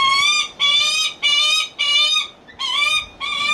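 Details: Captive lanner falcon at a bird park in Kakegawa, Japan, calling in a coaxing, attention-seeking voice; loud, harsh, drawn-out cries of about half a second each, repeated five or six times in quick succession with short gaps.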